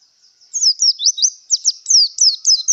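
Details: Javan white-eye in breeding condition delivering a quick, continuous run of high, sharp chirping notes, each slurred downward, over a steady thin high tone; no other sounds.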